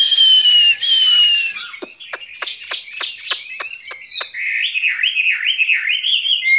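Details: Skylark in a cage opens with a long, clear descending whistle, follows with a series of dry clicks, then breaks into quick wavering warbled notes.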